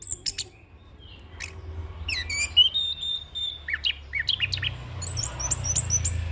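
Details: A young orange-headed thrush pours out a rolling, mimicry-filled song used as a training and lure track: sharp high notes, a sweeping whistle, then rapid chattering phrases over faint low background noise.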